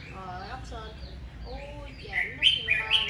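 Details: Red-whiskered bulbul singing aggressively in the morning: soft, lower wavering notes first, then loud, bright, sharply slurred phrases repeated rapidly toward the end.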